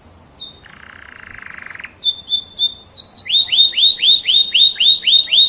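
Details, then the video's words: F1 canary delivering a quiet rattling trill and thin whistle, then a strong steady series of hooked upslurred notes, about four each second. "SUARA KICAU BURUNG KENARI F1"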